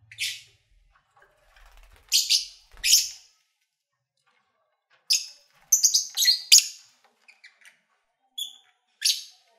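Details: Lovebirds kept as pets, calling while eating and playing: paired and clustered shrill chirps, harsh and buzzy, separated by silent gaps of a few seconds, with faint low bumps.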